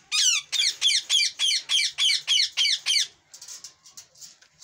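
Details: Ringneck parrot in a fighting mood, giving ten loud, harsh screeching squawks at a steady rate of about three per second, then softer scattered notes indoors.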